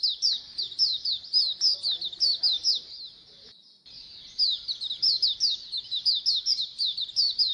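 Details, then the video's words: Massed Oriental white-eyes calling as a colony, meant to spur kept birds to sing: continuous high, downslurred chirps tumbling rapidly, a brief lull near the middle, then lively overlapping chatter resumes. "Pleci Koloni agar BUKPAR AGAR RAJIN BUNYI"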